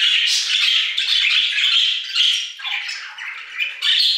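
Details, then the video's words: A group of budgerigars in an aviary chattering steadily, a busy mix of high squeaks, buzzy warbles and quick chirps that overlap without a break. "Budgie Songs - 1 hour of Budgies singing in the Aviary"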